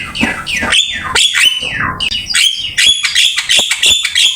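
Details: Javan myna singing actively as master training material, with scratchy squeaks, downslurred whistles and short sharp chips in a rapid, varied sequence.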